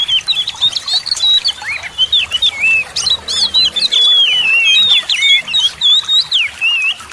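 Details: Oriental magpie-robin in rich, nonstop song meant to prompt reluctant birds to join in: dense flowing medley of sweet whistles, slurs and quick trills, almost without pause, over faint background hiss.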